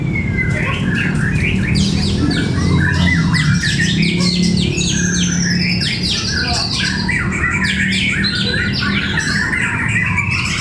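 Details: Contest of white-rumped shama fighter birds in Cibinong, Indonesia; dense bursts of rich whistles, upslurred notes and scratchy trills pour out almost continuously, several birds overlapping, with a steady deep hum of crowd noise underneath.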